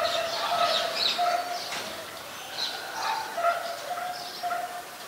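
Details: White-vented myna calling in Ubon Ratchathani, Thailand, on 26 December 2020; rich, nasal, harmonic notes repeated unevenly, about two per second, with higher squeaky chirps scattered between them.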